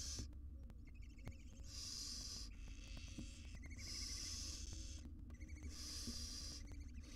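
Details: Inside a research nest box in Israel, a wild barn owl mother grooms tiny chicks; drawn-out hisses alternate with quick, thin twittering notes, above a constant low rumble.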